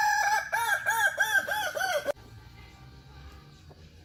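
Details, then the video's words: Kukuak Balenggek rooster kept by a hobby breeder gives a rapid string of about seven bouncing, arched syllables in two seconds, each rising and dipping, before the crow stops sharply into a quiet background hum. "Hobi Ternak Ayam Kukuak Balenggek, AKB (bagian II)"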